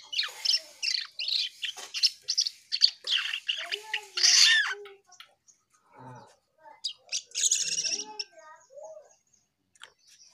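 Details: Asian pied starling singing actively: rapid harsh clicks and squawky notes, a loud raspy burst near the middle, then sparser lower, rounder whistled and croaking notes with short silences.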